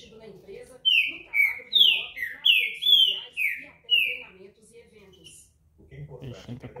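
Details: A trinca-ferro, the Green-winged saltator, noted as a fine singer, gives a phrase of six or seven strong descending whistles, then falls quiet as low human speech takes over at the end.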